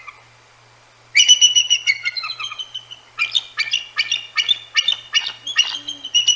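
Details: Bald Eagle pair on their Decorah North nest at night in mid-January, telling off two Great Horned Owls hooting nearby; after a brief quiet, a sudden loud burst of shrill piping chatter, then rapid repeated high squeaky notes.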